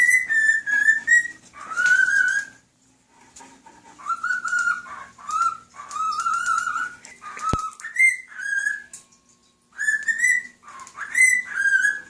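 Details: A male cockatiel whistling a human tune, Nights in White Satin, to a fish and fellow birds; melodic runs of clear notes in repeated phrases, some gliding upward, with brief gaps between.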